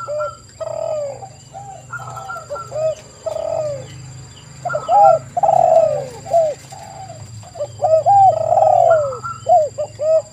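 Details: Several spotted doves singing in a lure track for calling in wild birds; scattered, overlapping hooked coos of varied loudness above a low background drone and a thin high tone.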